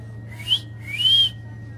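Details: Common hill myna, a talking bird from the Tongi bird market, whistling twice: a short upslurred note, then a longer rising whistle that levels off, over steady low hum indoors.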